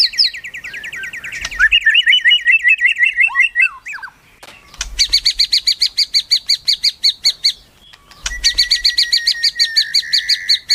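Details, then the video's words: Melodious white-rumped shama song in three bursts: a wavering warbled trill, then two long, fast, evenly pulsed high rattles, each separated by a short silence. "MURAI MERDU"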